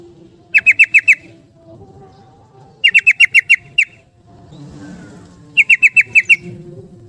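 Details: Caged-bird lure of a yellow-vented bulbul in 'ropel' style: three bursts of five to eight quick, sharp repeated notes, separated by pauses of about two seconds.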